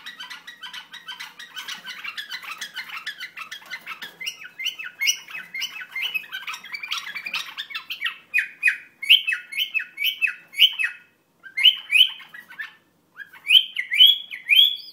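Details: Iraqi bulbul song: a rapid, buzzy chatter of tiny notes gives way to louder, rising chirped phrases repeated in quick bursts, separated by short silences toward the end.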